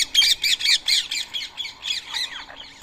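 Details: Rose-ringed parakeets feeding on soaked boiled rice at 7 AM on a Sunday morning, 31 March 2024, in Coimbatore, India; harsh, grating squawks repeated rapidly, about four per second, in a steady run.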